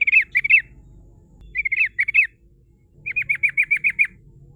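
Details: Female sooty-headed bulbul in full voice, kept as a lure that rivals respond to: bubbly paired notes, a pause, another pair, then a fast run of seven rolling notes; faint low rumble behind.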